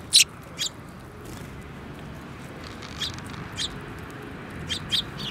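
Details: Sparrows including a yellow-beaked bird on 15 February 2018: a loud chirp at the start, then softer scattered high chirps and a closing pair, over a low background rumble.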